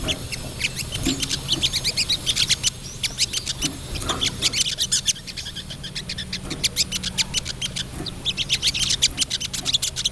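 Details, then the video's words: Crested jay female calling for a male, giving scratchy ticking rattles in loose bursts over a low background hum, with a quieter stretch midway. "SOGOK ONTONG BETINA GACOR"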